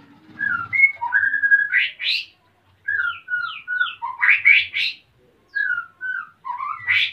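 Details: Captive male white-rumped shama ready to breed, Salaman, Magelang, Central Java, the female nest-building nearby; bursts of sweet whistled notes and quick slurred phrases ending in harsh rising rasps, separated by short pauses.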